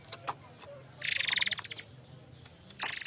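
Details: Murai air mancur in lively song, meant as a lure sound for training: a dense high rattling trill of rapid pulses lasting nearly a second, a few soft ticks, then another rattle starting at the end.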